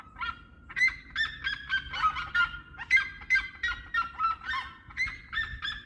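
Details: Red-legged seriemas in song, giving loud barking yelps with strong overtones, some notes rising and others falling, about one each second in an irregular, overlapping chorus above a soft low background hum.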